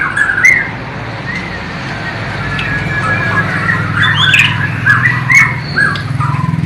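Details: White-rumped shama from Borneo, East Kalimantan, singing a song filled with imitations of the sikatan londo flycatcher and nightingale; low-resolution camera recording. Scattered short whistled and slurred notes, some rising, over a steady low hum.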